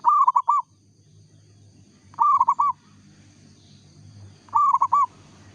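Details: Local zebra dove in full song, original recording: a quick phrase of clipped, ringing coos ending in a longer note, repeated three times at intervals of about two seconds, with quiet low background rumble between.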